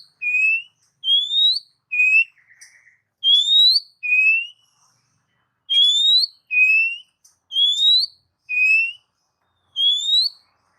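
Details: Oriental magpie-robin whistles played to provoke kept birds: a steady series of pure, upward-sliding whistled notes, repeated roughly twice a second in groups with brief pauses.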